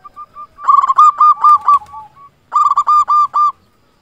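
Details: Local zebra dove in full song, used as a lure to prompt quiet doves to sing: rolling cooing phrases of quick stuttered notes followed by held coos, two bouts about two seconds apart.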